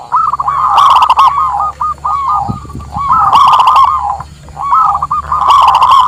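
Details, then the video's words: Local zebra dove song used for luring wild birds and as a master song: rolling cooed phrases of arched notes repeating every two seconds or so, with crackly bursts and a low thump midway. "Suara Perkutut Lokal Terbaru 2023"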